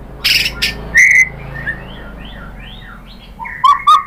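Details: White-rumped shama singing, played as a provoking lure: a few sharp chips, a clear rising whistle, soft descending warbled notes, then loud whistled phrases at the end over faint low hum.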